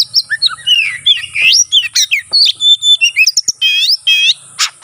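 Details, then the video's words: Oriental magpie-robin delivering provocative fighting song: fast jumble of twisting whistles and chips, then rich wavering harmonic notes and a harsh burst, over a low rumble and steady high hiss. "burung kacer NGEPLONG tarung KONSLET ful isian ini AMPUH buat PANCINGN lawan ikut konslet"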